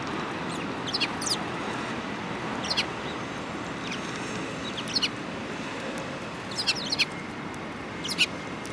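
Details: Several sparrows, including one with a yellow beak, recorded on 18 January 2018; short high chirps scattered through the clip, clustered near the start, middle and end, over steady broadband background hiss.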